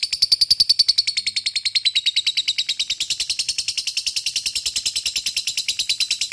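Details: Lovebird performing a long ngekek, a rapid chattering song used to stir other lovebirds into answering: an unbroken, fast, metallic, high-pitched rattle of evenly repeated notes throughout.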